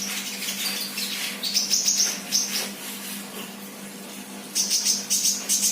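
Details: Sunbird, an untrained bird singing actively, gives two bursts of rapid, bright, very high twittering notes in quick succession, separated by a short pause, over a faint steady hum.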